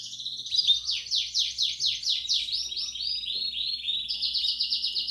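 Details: Belgian canary bell-style song for warming up and training young birds; rapid repeated descending sweeps at high pitch, then smoother rolling trills and a fast even chatter at the end, over a low steady hum.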